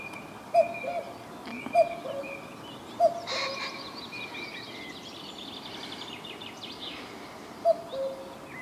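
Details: A common cuckoo, calling from woodland at Hervester Bruch, Dorsten, on 23 April 2014 after returning, gives its falling two-note 'cu-coo' four times at uneven intervals, with other birds chirping and twittering faintly behind.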